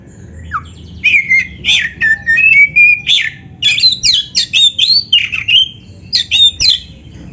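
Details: Oriental magpie-robin in loud 'gacor isian' song played to make other magpie-robins answer: fast, varied phrases mixing sweet whistles, long level notes and rapid scratchy chatter, nearly continuous for about six seconds.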